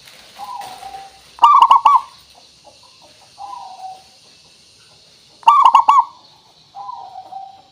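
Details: Local zebra dove singing, played to lure other doves into calling: two loud, trilling coo bursts about four seconds apart, each set among softer, descending coos.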